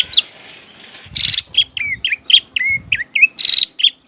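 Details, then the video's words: Singing green leafbird meant to provoke a young spotted leafbird into a fighting temper; varied looping whistles mixed with two rasping, buzzy bursts, delivered in a steady, energetic stream. "CUCAK IJO GACOR MEMANCING CUCAK IJO TROTOL AGAR EMOSI DAN PANAS"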